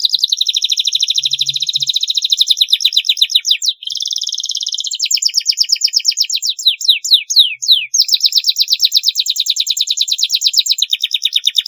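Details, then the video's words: Canary song meant as a long master recording for young birds: unbroken fast trills, a rolling buzzy phrase, loud swept whistles, then rapid pulsed trilling again. "masteran kenari durasi panjang, masteran kenari paud agar cepat gacor"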